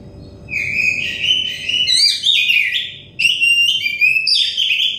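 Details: Stressed Oriental magpie-robin therapy song: three loud whistled phrases, each opening on a clear sliding note then breaking into quick warbled and chattering notes, separated by short pauses, with a low background hum.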